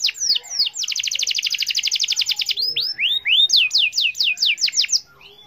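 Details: Canary lure song meant to get mute canaries singing: a brief whistle, then a long fast rolling trill, followed by rising slurs and a run of crisp falling notes.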